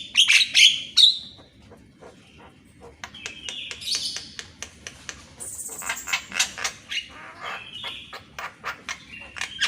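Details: Javan myna morning song used as a training model for reluctant caged birds: loud opening squawks, a quieter stretch, then varied chatter of clicks, rising whistles and rasping notes repeated in quick succession.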